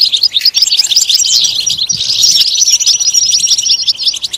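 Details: European goldfinch song, a bright jumble of liquid chirps and quick trills, a brief rising sweep early on, then a long high whistled note running beneath the twitter.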